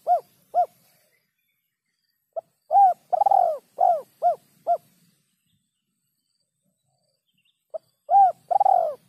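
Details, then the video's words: Spotted dove repeating its 'kuk 3' call in a clean recording: phrases of soft hollow coos, one long and slightly stuttered, followed by shorter descending notes, with silent gaps of several seconds between phrases. "suara burung terkukur kuk 3 bersih"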